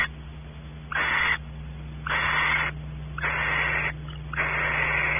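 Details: Barn owls at Audubon Starr Ranch, California. The male explores the cavity as the female expects mating. Four longer, drawn-out wheezing hisses, nearly half a second to a second each, pulse steadily over a low electrical hum.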